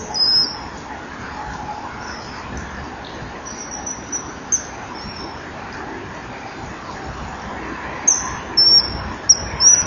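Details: Common kingfisher on a breeding-wall camera, 15 December 2011 at 15:44, flashing past at high speed from left to right while calling a lot, giving shrill, piercing high whistles, single and in quick runs, over steady hiss; a very alert male then briefly perches, perhaps because of intruders or other danger.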